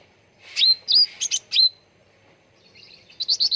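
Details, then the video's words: Grey-bellied bulbul song used as a lure and training recording to make birds sing: short bright chirps sweeping up to sharp whistled notes, then a quick burst of repeated high chirps after a pause. "SUARA PANCINGAN CUCAK RANTING BAHAN AGAR CEPAT GACOR || MASTERAN CUCAK RANTING"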